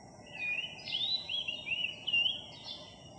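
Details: Philippine magpie-robin, one of a skittish flock newly arrived in a village, singing on July 3, 2021: a string of sweet, clear whistled phrases with slurred upward and downward inflections, over a soft background hiss.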